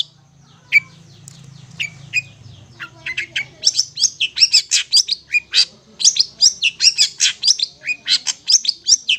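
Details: A Long-tailed shrike song used as a tutor recording for hand-fed chicks: a scratchy, varied string of high chirps and squeaky notes, sparse at first, then quickening into rapid bursts. A low hum opens the recording.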